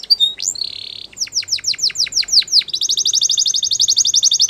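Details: Canary song of repeated downward-sweeping notes followed by a fast, even buzzy trill, over a low background hum.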